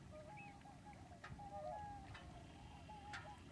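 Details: Calls of common cranes at Lac du Der in February, on spring migration: a quiet, continuous chorus of brief, level, bugling notes from many birds, with a few sharper clicks and a steady background hiss.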